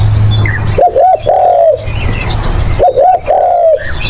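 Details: Spotted dove calling, used as a lure: two phrases, each two short coos and a long slightly falling coo, two seconds apart, with quiet background chirps and a low hum.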